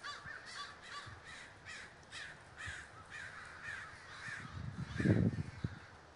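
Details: A steady series of harsh caws, roughly two or three each second, comes from crows gathering in a flock in Davis, California, with a louder low thump of noise late on.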